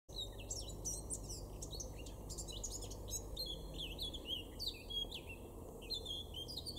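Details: Male Eurasian blackcap singing in a garden in Weener, East Frisia, in Germany's far northwest, in May 2022: rapid, varied warbling with fluty, twisting high phrases poured out continuously, over a steady low hum of background noise.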